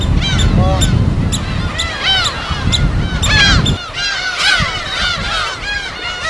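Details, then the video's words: Many gulls at a natural breeding site on an uninhabited island in Korea's West Sea: overlapping bent, nasal cries and yelps, with a strong wave roar that drops away after about four seconds. "갈매기소리 무인도 자연의소리 파도소리와 갈매기소리"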